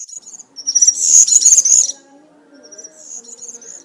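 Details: European serin singing the country-style (campero) song in woodland, used to tutor young serins: a fast, high, buzzy jingling warble in a two-second burst, then a softer, shorter phrase, with faint low tones underneath.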